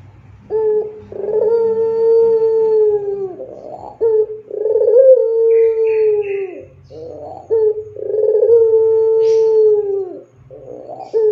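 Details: Barbary dove of the pelung singing type, a master song for training other doves: three long, smooth, low coos in succession, each held about two seconds and dropping at the end, separated by throaty burbles.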